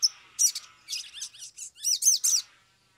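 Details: Sumatran leafbird, agitated, sings for a lure recording. It gives a quick series of high, arched chirping notes in tight clusters lasting about two seconds.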